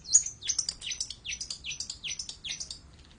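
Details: Brief burst of long-tailed shrike song: a quick series of high chirps, each sliding steeply downward, about four per second, fading out near the end.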